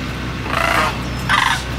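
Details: Sandhill crane calls: a pair of short, trilling, rattled notes in quick succession, the second brighter and louder, with a low hum underneath.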